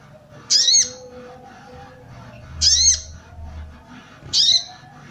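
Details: Female sooty-headed bulbul calling to arouse males; three loud scratchy arched notes about two seconds apart, with a quiet low hum between them.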